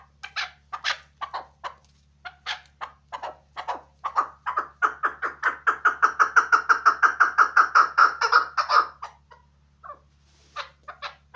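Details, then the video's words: Chukar partridge kept for hunting starts with scattered sharp chucks, speeds up into a dense, rhythmic, evenly paced chattering run of harmonic clucks almost three per second, then trails off into a few sparse notes; faint low hum behind. "Кабки шикори"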